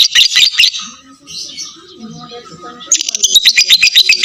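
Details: Caged lovebird's full ngekek trill, played as a lure to lengthen other lovebirds' singing: rapid, harsh, high chattering bursts repeated about two to three times a second, breaking off into a quieter mid-pitched stretch before resuming loudly.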